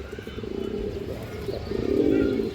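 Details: A male Indian high-flyer Kaldom domestic pigeon, one of a pair, calls with low, throaty, rolling coos that swell in loudness.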